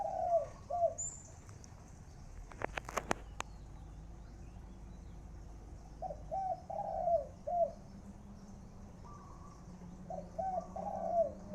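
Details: Spotted dove decoy bird cooing in the khan yon style: short phrases of low, hollow coos, with a rising-falling final note. Coos are heard at the start, middle and end, with a burst of sharp clicks in between and a fainter, higher coo in the background.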